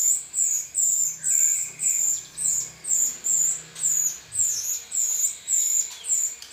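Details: Rio-rio song offered as a model for training songbirds: very high, thin, down-slurred whistled notes repeated about twice a second in a steady run, with a faint brief lower whistle early on.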